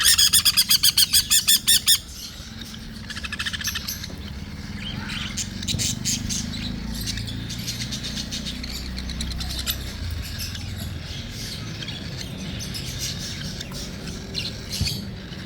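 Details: A cockatiel being hand-fed gives a quick burst of rhythmic, raspy chirps, then softer scratchy sounds and low rumbling.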